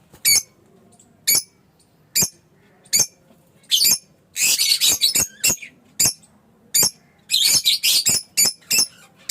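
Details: Fischer's lovebird chirping: spaced single shrill squeaks about once a second, then clustered harsh, scratchy chirp bursts, with quiet gaps between.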